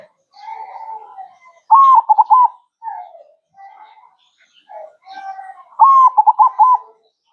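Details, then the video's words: Zebra dove song used for training, two bright phrases of a long coo plus three to four rapid choppy notes, separated by softer, lower cooing murmurs in between. "MASTERAN HANDAL PERKUTUT MANGGUNG GACOR"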